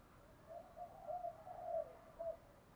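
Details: Spotted dove cooing in the 'giọng thổ' singing style, used to lure wild doves in quickly; faint, low hollow coos in a short broken series, with a longer drawn-out middle note and a final short coo over soft background hiss.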